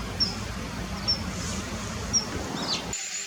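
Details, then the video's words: A common kingfisher, recorded in spring to early summer, gives thin, very high, sharp 'tsee' notes about once a second, three in a row, over a steady low background rumble. "カワセミ kingfisher"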